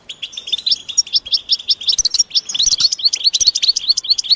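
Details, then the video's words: European goldfinch chatter given as mating and readiness calls to prompt a quiet male to sing: quick run of bright, rising chirps, about one and a half per second, loud and close. "حسونك صامت لا يغرد أسمعه هذه البتبتة"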